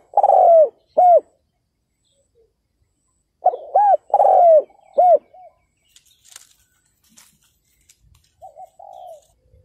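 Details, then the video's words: Decoy spotted dove calling to lure wild males: two bursts of low mellow coos, short hooting notes then a longer drawn, falling coo, with softer distant coos answering near the end. "CHIM CU GÁY MỒI ĐẤT KÍCH BỔI CỰC SUNG"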